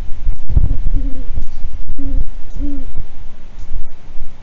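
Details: Great horned owls at their nest in Kansas just after midnight on 29 January 2022 at 17°F, male delivering a rodent to the female: a few short, low, steady hoots spaced about a second apart over constant background rumble.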